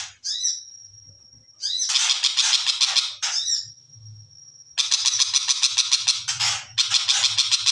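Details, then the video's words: {'caption': 'Long-tailed shrike singing. Squeaky upslurred notes and a sustained high pure whistle alternate with bursts of rasping, rapidly repeated harsh notes.'} "Cendet Macan Viral"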